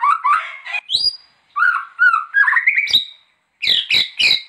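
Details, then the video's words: Gacor white-rumped shama used as a training master, singing varied short phrases of whistled and chattering notes separated by brief pauses, ending with harsh buzzy bursts. "MACAM-MACAM SUARA BURUNG MURAI BATU GACOR UNTUK MASTERAN"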